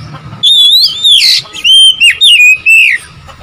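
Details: Oriental magpie-robin singing to provoke rivals, with loud fluty whistles that waver and slide, followed by several short clipped whistled notes.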